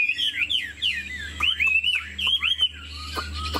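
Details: Chinese Hwamei, a 90% pure cage bird singing with head-bobbing and wing displays: a series of rich, looping whistled notes, each curling up then down, repeated several times in quick succession, then a few sharp clicks.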